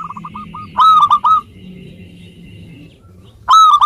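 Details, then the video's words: , local Indonesian zebra dove in full, frequent song, played as a lure to prompt lazy birds to sing: soft low coos, then a loud stuttering burst of clipped, hoarse cooing notes, a pause, and another burst. "Perkutut Lokal Gacor Suara Ampuh Mengundang Cepat Agar Bunyi _ Cocok Untuk Pancingan Malas Bunyi"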